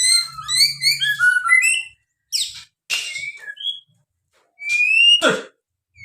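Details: White-rumped shama delivering cililin song material: quick tumbling whistled notes, then separate buzzy and harsh bursts broken by short silences, and a final long, high, clear whistle.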